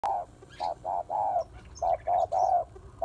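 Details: Female spotted dove calling to stimulate males: a run of short, low, hollow coo notes, seven in about three seconds, unevenly spaced with brief pauses between groups, over a quiet background.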